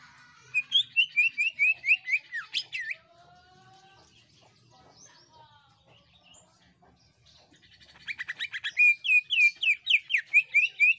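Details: Greater green leafbird song used to trigger other birds: a quick series of sharp, descending whistled chips at about two per second, a quiet interlude of thin notes, then another rapid bright chipping run.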